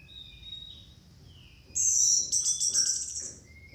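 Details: Orange-headed thrush lure recording meant to stimulate a reluctant caged bird. Faint thin whistles lead into a sudden loud, harsh, high-pitched buzzy rattle lasting about two seconds, followed by a short falling note.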